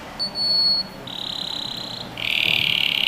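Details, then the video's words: Domestic canary singing for young birds to learn from: a pure high whistle, then a lower held whistle, then a rough buzzy roll, each tour steady in pitch. "Canary Singing | Melodies Canary Bird Song | Training Video"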